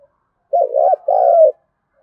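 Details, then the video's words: Single 'thúc gù' phrase from a spotted dove, native-field voice, played to make wild doves answer: a wavering, broken coo slides into a smooth, sustained coo that drops slightly at the end. "cu gáy thúc gù/ Tiếng cu thúc gù hay bổi nghe ức chế gáy theo cả ngày"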